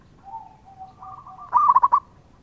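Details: Zebra dove of a local line singing: a few soft, low introductory coos, then one loud rapid stuttering trill of coo notes that ends abruptly.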